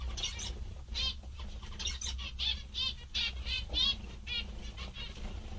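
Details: Several cheerful, contented zebra finches calling: nasal, trumpet-like beeps in quick irregular series, some rising or falling, with soft wing flutters and a constant low background hum.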